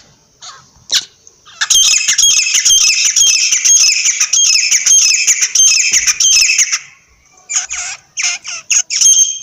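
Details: Partridge giving a long run of loud, harsh, scratchy notes, fast and continuous for about five seconds, then a few separate squawks after a short pause.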